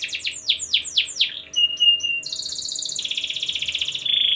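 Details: Canary in full song, played so other canaries join in: quick descending sweeps, then steady whistled notes, followed by a long dense rattling trill changing pitch partway through.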